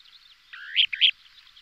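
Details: Kentish plover, one of a pair calling during aerial displays: a rising drawn-out note followed by two short bright chirps, high-pitched and clear against a quiet background.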